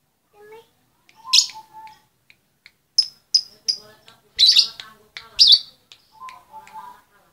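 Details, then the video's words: A female lovebird calls for the male with scattered high chirps and a few loud, rasping squawks. Soft, lower, voice-like sounds can be heard between the calls. "SUARA LOVEBIRD BETINA MEMANGGIL SI JANTAN"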